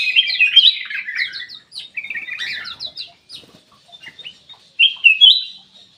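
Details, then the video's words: Kutilang emas, a bulbul, heard in a lure meant to coax reluctant birds into song. Loud, jumbled chirps and squeaky twitters come first, then break into scattered short notes. Two sharp whistled bursts stand out near the end. "PANCINGAN KUTILANG EMAS MALAS BUNYI"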